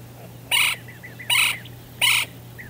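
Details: A pair of golden-fronted woodpeckers in Palo Duro Canyon, Texas: three loud, harsh, rolling calls about three-quarters of a second apart, with soft short notes between and a steady low hum.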